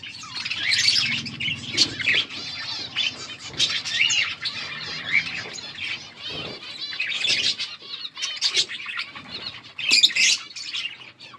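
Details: Colourful budgerigars chirping together: a busy, continuous warble of squeaky chirps, chattering notes and short whistled trills from several birds, with soft flutters and rustles underneath.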